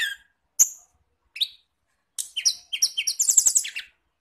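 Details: Songbird lure recording for training caged kacer (magpie-robin), cendet (shrike), murai and tledekan: a few separate sharp high chirps, then a quick, accelerating run of twittering, chattering notes.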